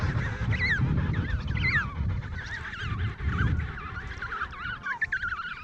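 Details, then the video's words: Emperor penguin adults in a crowded Antarctic colony give powerful trumpet-like calls to be heard over the din; several wavering, harmonic calls rise and fall in quick succession over a low, steady rumble. "Various Moments of Penguins Making Sounds"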